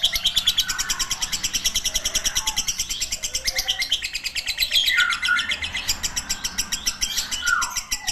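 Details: Extended Lovebird ngekek chatter lasting over eight seconds, a relentless train of high, harsh chirps about three per second, with occasional lower squeaky notes mixed in.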